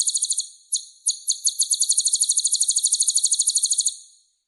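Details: Kolibri ninja sunbird with a full, rich repertoire, used to tutor other songbirds: a few separate high chips, then a steady, very fast, high-pitched trill lasting about three seconds before fading.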